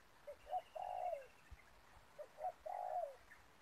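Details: Ground-trapping decoy spotted dove drawing in wild doves: two repeated phrases of quick short notes followed by a drawn-out, downward-sliding coo, fairly quiet against steady background hiss.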